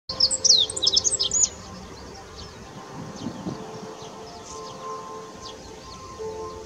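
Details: Meadow bunting singing by the Ōhori River in May: a quick burst of high, thin chirps and twittering notes for about a second and a half, then faint distant birds and a low steady hum.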